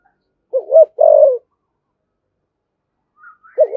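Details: Single spotted dove phrase in 'thổ sấm' style, urging and calling: a wobbling double note then a longer sustained low coo, followed by silence and the start of the next phrase.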